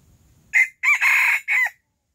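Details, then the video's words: Silkie rooster crowing loudly in the early morning: a short opening note, then a long, strained, harsh middle section and a clipped closing note, followed by silence. "Silkie rooster crowing loud in the early morning !"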